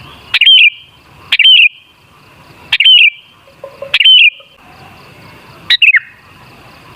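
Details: Sooty-headed bulbul lure song: a run of six brief, bright warbled phrases at a steady pace of about one per second, the last ones dropping slightly in pitch, with soft notes between them.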